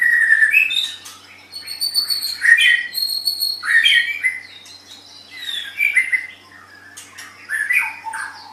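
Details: Tutor song of a white-rumped shama for training caged songbirds: rich whistles and downslurred notes mixed with thin high squeaks, delivered in short varied phrases separated by brief pauses.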